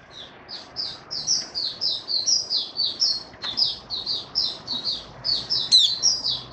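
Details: Mata puteh (white-eye) in buka sing: a steady series of soft, high chirped notes, roughly three or four each second, with a sharper note near the end, heard over constant low background noise.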